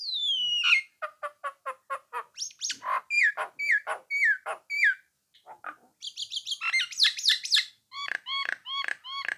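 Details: Nias hill myna song meant to provoke rivals into answering: a long descending whistle, an evenly spaced run of short notes, varied clear whistles, then a rapid chatter and a row of repeated hooked chirps.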